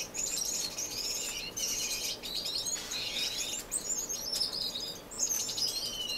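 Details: Several finches sharing an indoor community aviary in Edmonton, Canada, non-breeding, March: high twittering bursts come in clusters about a second long, separated by short lulls, with overlapping chirps from more than one bird.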